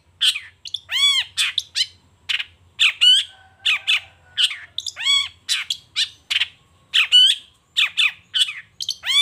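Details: Long-tailed shrike in vigorous morning song, unloading its repertoire: loud, harsh, buzzy squawks mixed with arched, ringing nasal notes, delivered in quick repeated bursts with little pause.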